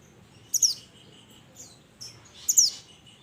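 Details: Minivet from the mountains calling to its companions, giving two quick bursts of very high, thin, downslurred notes about two seconds apart over a quiet background.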